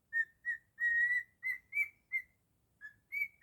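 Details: Pet cockatiel whistling a Jingle Bells melody in its own version, a sequence of clear short and medium notes climbing slightly in pitch, a short break, then two more notes.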